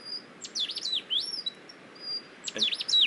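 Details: Rufous bristlebirds heard close by but hard to see, in rainy May weather, duetting: two bursts of sharp, high whistled notes with rapid up-and-down sweeps, separated by a quieter stretch with faint thin whistles.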